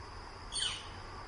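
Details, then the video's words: A Northern Flicker calling quite close, around 10 am, gives a single sharp, high call, brief and slightly falling, rising out of steady background hiss. "Northern Flicker, Calls Quite Close"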